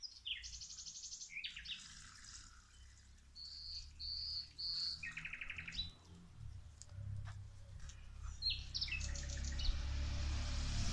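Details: Birds singing while plants get watered: varied song with fast buzzy trills, a series of three high steady whistles, more rattling trills, and a growing low rush of water toward the end.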